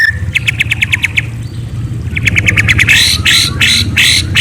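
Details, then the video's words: White-rumped shama (murai) giving quick runs of sharp, high chirps, about three a second, then louder, harsher bursts, over a steady low hum. "Murai Bird Serenade: A Night of Enchanting Chirps"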